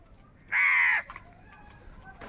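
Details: Crow giving one loud, harsh caw lasting about half a second, rough and buzzy with strong overtones, against a quiet background with faint distant calls.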